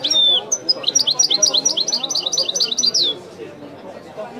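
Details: European goldfinch singing widani-style, opening with a buzzy slurred note and high whistles, then a rhythmic run of bright repeated chirps closing on a down-slurred whistle, with a low background murmur after.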